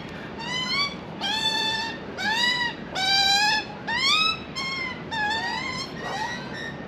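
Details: Australian magpie juvenile in Australia pleading for food: a steady series of about seven nasal, whining cries, each lasting under a second and sweeping upward, layered with bright overtones and separated by short pauses.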